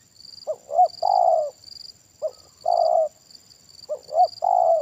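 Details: Deep 'kuk satu' coos of a spotted dove during trapping with a decoy bird: three phrases, each a sharp double hoot followed by a sustained downward-sliding coo, roughly every one and a half seconds.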